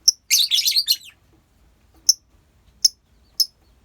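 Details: A lovebird colony: a second-long burst of harsh, jumbled chattering, followed by three isolated sharp shrill chirps spaced well apart.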